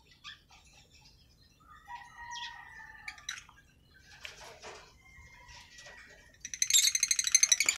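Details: Green-coloured masked lovebirds, African lovebirds: scattered short chirps and thin level whistles, some drawn out, build into a closing burst of shrill, harsh, rapidly repeated screeching chatter that is the loudest part of the recording.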